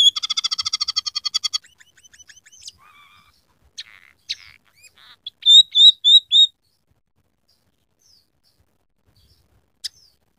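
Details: Scaly-breasted munia in full song filled with canary, house sparrow and red siskin phrases: a rapid buzzy trill of about fifteen repeated notes, scattered chips, then five loud high whistled upslurred notes, with a clean quiet background.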